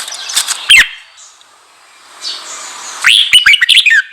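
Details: Red-whiskered bulbul voice used to stir up wild-caught bulbuls: an isolated loud chirp early, a quiet stretch, then a quick burst of bright, bouncy whistled notes toward the end.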